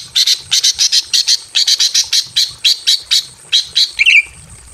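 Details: Breeding female greater green leafbird in a simple aviary calling to a male: a steady fast series of harsh, buzzy chattering notes, roughly four per second, ending with a brief twisting whistle.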